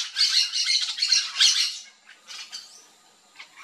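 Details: A group of Yellow-chevroned Parakeets eating fruit in a Brazilian backyard: loud, rapid, harsh squawks run together for nearly two seconds, fading into a few softer, thinner chirps.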